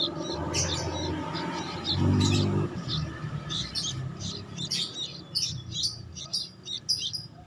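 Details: Motherless sooty-headed bulbul chick calling with sharp, high chirps in quick irregular bursts, with a brief low rumbling sound near the start and a constant low background hum.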